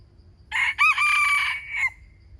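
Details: One full crow from a wild chicken: clipped rasping start, short break, a long sustained harsh note and a sliding end, lasting roughly one and a half seconds against quiet low noise.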